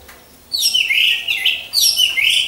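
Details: Brief burst from caged orange-headed thrushes hung in a line as a singing lure: two bright, slurred, high whistled phrases falling then rising, delivered quickly after a short silence.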